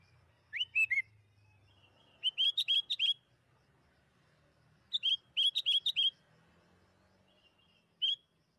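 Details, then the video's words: Sooty-headed bulbul singing as a lure to get other bulbuls calling: a three-note liquid phrase, then two rapid bursts of six or seven bubbly whistles, ending with one lone note. "PANCINGAN BURUNG KUTILANG AGAR CEPAT BUNYI"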